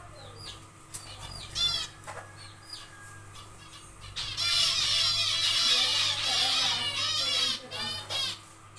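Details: Zebra finches in a small aviary on their second day of nest building: repeated nasal, stacked chirps, then a few seconds of dense overlapping calling from several birds, over a steady low electrical hum.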